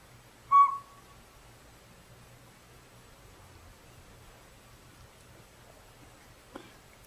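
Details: Northern Pygmy-Owl in backyard woods, nesting in a hollow tree and upsetting the local squirrels, gives one clean whistled toot. Several quiet seconds follow, then a brief sharp click.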